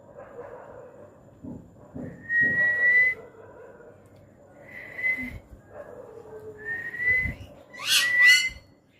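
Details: Pet parrot answering its owner's urging to call; a series of clear whistled notes that slide upward, separated by pauses of a second or two, ending with a harsher burst, while low murmured human speech sounds in the background.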